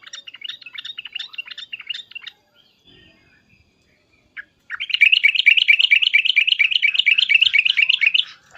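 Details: Yellow-vented bulbul in an agitated, excited mood, calling loudly: a run of quick chattering notes, a short pause, then a long, fast, even series of bubbling 'uplik-uplik' phrases repeated more than twice a second.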